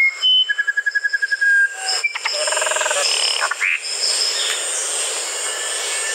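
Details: Musician wren song: a rapid run of repeated whistled pulses on one pitch, then gurgling chattery notes and short whistles, over a steady high insect-like hiss.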